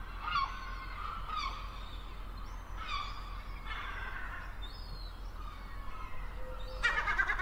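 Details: Gull calls: a series of harsh, nasal, harmonic cries, each with a short rising-then-falling inflection, given every second or so, ending in a louder burst of rapid noisy notes.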